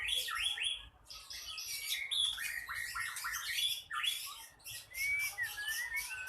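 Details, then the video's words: Ekor pendek in an aggressive, fired-up song, meant to make listening birds join the fight before contests: dense bursts of sharp, high chirps and scratchy trills, brief pauses between runs, with occasional clear whistled upslurs. "Ekor pendek ngamuk,dalam hitungan detik burung anda pasti ikut tarung"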